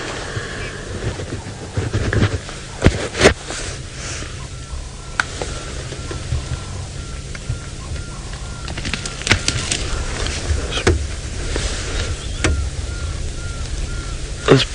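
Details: Pearl-spotted owlet (Glaucidium perlatum) calling at sunrise, about 6 am, on 4 September 2017 in Sabi Sand near Kruger Park, South Africa, likely low in small trees: a long series of short, even whistles from a distance, over low rumble and sharp knocks.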